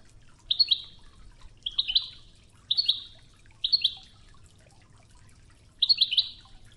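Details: European goldfinch singing on an Oued-style training recording accompanied by river water; five bright, buzzy twittering bursts at irregular intervals over a continuous low murmur of flowing water.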